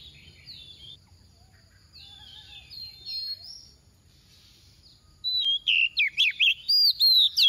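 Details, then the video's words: Oriental magpie-robin soft decoy, 'tìu tíu tiu' song for stimulating rivals: quiet, far-off whistles at first, then a close, loud series of about eight bright, rising and falling notes in the last seconds. "Choè than mồi mềm hót tìu tíu tiu"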